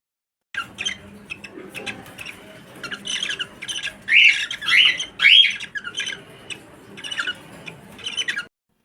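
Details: A cockatiel breeding pair, filmed around mating, gives bursts of harsh, rising squawks and chirps, loudest in a run of three calls.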